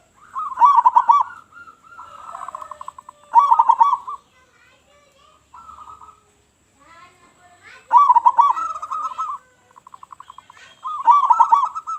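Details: Loud-voiced local zebra dove in full song, a lure for attracting other doves: rhythmic phrases of quick stuttering coos rising into a rolling trill, with quieter scattered chirps between phrases.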